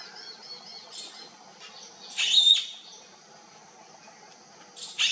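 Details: A bee-eater searching for its flock gives one loud, rasping, trilled call in the middle, with fainter calls before it and another starting at the very end.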